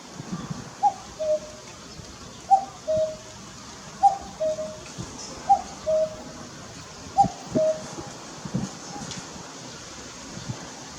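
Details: Common cuckoo perched on a utility pole beside a garden in late May 2021, around 17:30. It gives a falling two-note cuck-oo five times, about every 1.7 seconds, over a quiet background hum.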